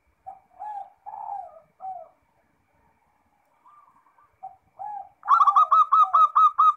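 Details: Zebra dove singing in 'ngerot' style, used to prompt other doves to answer: several soft, wavering coos with brief gaps, then a loud run of quick rhythmic rolled notes at the end.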